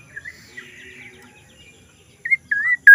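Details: Black-naped oriole with a strange call: faint, warbling notes at first, then three clear whistled slurs, the last one loud and harsh-edged, ending abruptly.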